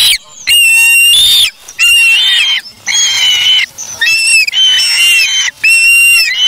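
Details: At the Charlo nest, August 3, 2017, a young osprey that has grabbed a fish from its parent gives long, shrill, slightly wavering whistled cries in drawn-out bursts separated by short pauses.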